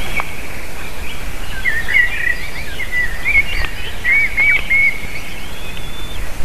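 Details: Nest of an eagle with eaglets, feeding time on a June 2023 afternoon; a string of quick, high, chippy notes in short bursts, fairly faint, with steady background hiss.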